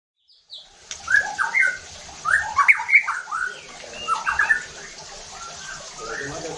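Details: White-rumped shama song used as a lure to provoke other shamas into rough, aggressive singing and full repertoire; after a brief quiet start, varied loud whistled and slurred phrases come in bursts over a faint steady low hum.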